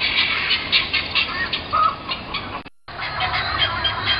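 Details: Harsh guineafowl squawks heard across a road from a home porch and dining room, February to March 2010, as a run of rasping repeated notes, cut by a brief silent gap partway through.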